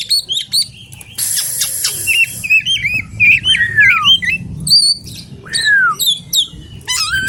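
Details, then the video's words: Kacer alas, the Oriental magpie-robin, in varied song: rapid wavering whistles, a harsh scratchy burst, looping warbled phrases and a long descending whistle, with chirps tumbling in quick succession. "BURUNG KACER ALAS"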